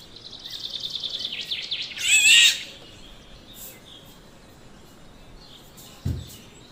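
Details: Black-naped oriole, filmed on mobile phone and digital camera: thin high notes at first, then one harsh nasal burst, followed by quiet background and a brief low thump near the end.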